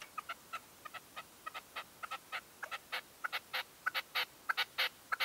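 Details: Red-legged partridge decoy calling at dawn from a hunting stand in 2023: a fast series of short, sharp notes that grows louder and quicker, several bursts each second, against a quiet background.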